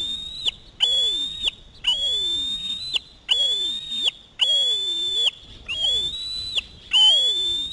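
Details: Osprey chick screaming while hot on a parent's talons for a fish: seven sustained, high whistled screams, roughly one per second, slightly rising at the ends.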